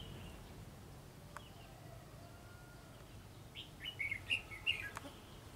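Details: Red-whiskered bulbul with white cheeks, singing from the top of a tree. About three seconds of quiet hiss lead into a lively burst of quick warbled, chirpy notes in the last second and a half.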